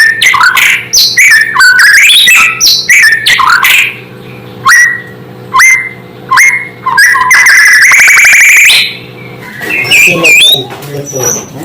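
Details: White-rumped shama singing to provoke other shamas: fast varied whistles at first, then a clear upslurred whistle repeated about every second, a buzzy trilled stretch, and a closing run of twittering notes, low hum beneath.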